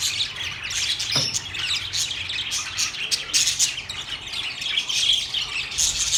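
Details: Several singing budgerigars chattering together: dense, continuous high warbling and chirping, with quick squeaky notes and short whistled slides layered over one another without pause.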